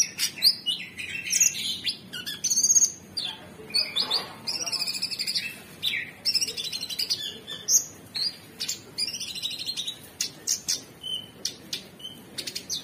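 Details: Nonstop cucak cungkok song: dense streams of high chirps, squeaky whistles and brief buzzy phrases from an Orange-bellied Leafbird, barely pausing across thirteen seconds.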